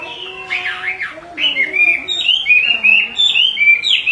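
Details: Repeated calling by a female Chinese hwamei, with an agitated male nearby, meant to provoke male song; a jumble of steep swooping notes gives way to a chain of clear wavering whistles at varying pitch.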